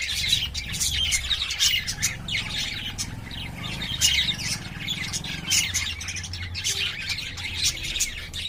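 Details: Lovebirds in a cage, courting and playing, keep up a dense, steady stream of high, sharp chirps and squeaky twitters, overlapping and varied, with a low background hum.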